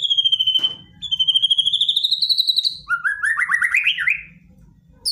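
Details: Aggressive white-rumped shama song packed with shooting phrases to prompt a silent shama to answer: a long rapid high trill held steady and then rising slightly, followed by a quicker lower stuttering trill that climbs before fading.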